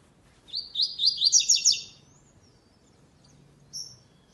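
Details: Double-collared seedeater singing the classic song style without the third note in the second stage of a web singing tournament: a fast run of buzzy, high chirped notes for about a second, then quiet with one brief high whistle.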